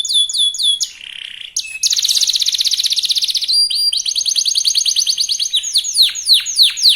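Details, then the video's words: Fast lure song of a young local canary meant to set other canaries singing: clear whistled notes, a buzzy trill, then rapid rolling tours of repeated notes ending in descending sweeps. "Kenari muda gacor pancingan kenari lokal super cepat bikin lawan bunyi"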